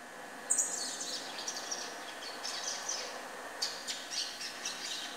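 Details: A young double-collared seedeater, still in brown plumage, sings thin, high, scratchy twittering phrases in quick bursts over a steady background hiss.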